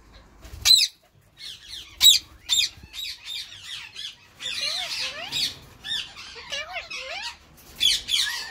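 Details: Grey Edged male Indian ringneck parakeet courting his long-time female in spring; sharp isolated squawks at first, then a sustained run of twittering chatter with rising slurred notes, ending in loud squawks.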